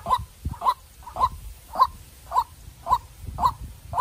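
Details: Young decoy White-breasted waterhen facing a wild bird: eight loud, abrupt croaks spaced just over half a second apart, with occasional low thumps in the background.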